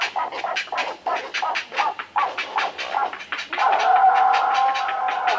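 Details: A Great Blue Heron (Ardea herodias) calls: a fast run of harsh, hoarse croaks about three per second, then a longer, drawn-out rasping squawk.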